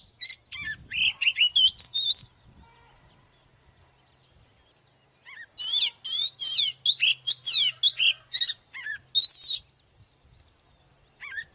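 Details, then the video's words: Oriental magpie-robin fighting song: varied chirps and whistles, a quiet stretch with faint low hum, then a long rapid series of sweeping, downward-slurred whistled notes before trailing off. "Chòe than mồi Kích BỔI ĐẤU || Choè than HÓT - ĐẤU"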